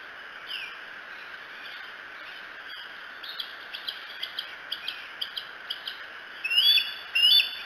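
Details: Bald eagle at Decorah, captured by a nest cam in the early hours of 2 July 2018; a run of soft, quick clicking pulses, then two loud, piercing whistled calls near the end, over constant hiss.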